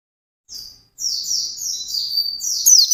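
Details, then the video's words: White-eye in intense 'ngalas' song: a short high note, then an unbroken stream of thin, high warbled and slurred whistles with sharp chirps near the end. "SUARA BURUNG PLECI GACOR NGALAS CEPAT"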